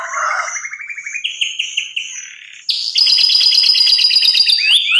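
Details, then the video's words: Canary singing a varied song of rising slurred phrases and a low warble, followed by a loud, sustained high rolling trill. "KENARI cengkok super"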